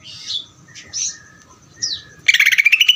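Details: Greater green leafbird ngeder song: soft scattered whistles and a descending slur lead into a loud, fast burst of rapid chirps in the final second, with a faint low background hum.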